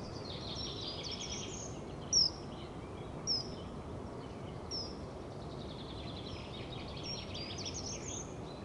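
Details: Male common kingfisher on a webcam perch at Leusden, Netherlands, early morning 3 March 2011: sharp, piercing, high whistled notes that dip slightly, three clear ones about a second or so apart, amid constant hiss and distant twittering birds.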